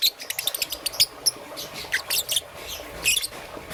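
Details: Peach-faced lovebird, young and green and yellow, in the morning: a fast run of thin, high chirps at the start, then slower, buzzier notes with gaps.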